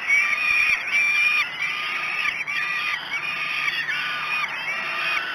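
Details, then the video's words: Falcon chicks at Great Spirit Bluff beg at breakfast, 06:54 on 5 June 2016: rapid, rasping screams of varying length come about two or three a second, their pitch repeatedly rising and falling. "Breakfast 3. Great Spirit Bluff Falcons"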